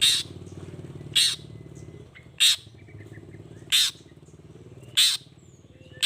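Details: Long-tailed shrike sound meant to make other shrikes answer: loud, broad rasping bursts about every 1.2 seconds, with a steady low buzz and scattered faint chirps.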